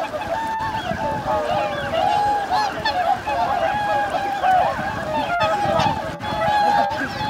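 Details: Wintering swan flock of 2,628 birds on Lake Hyoko, a Ramsar-listed artificial lake in Agano City, Niigata, Japan, January 8, 2022: a dense chorus of overlapping nasal honks, constant and unbroken, with many birds calling at once and a few sharper clicks.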